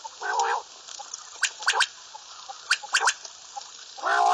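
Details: Two rapid triplets of sharp, clipped notes from a common quail, bracketed by loud, hoarse harmonic calls from another bird at the start and end.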